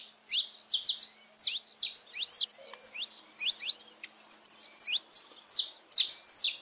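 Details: Saffron finch song for stimulating pet birds: irregular buzzy high notes and thin downslurred chirps in quick succession, grouped in short loose bursts.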